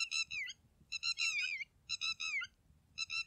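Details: Red-wattled lapwing (Vanellus indicus) giving loud, shrill, strident notes in four quick bursts, each a harsh rising-falling cry, with a faint low rumble behind.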